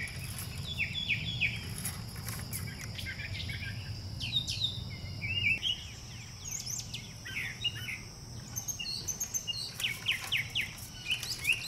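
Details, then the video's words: A resident Brown Thrasher sings a run of short, varied, chirpy phrases in quick succession, over a steady high insect drone and a low background rumble. "a brown thrasher singing"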